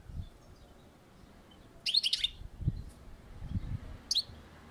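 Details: European goldfinch on a balcony: two brief bursts of high, tinkling twitters a couple of seconds apart, against soft low background rumble.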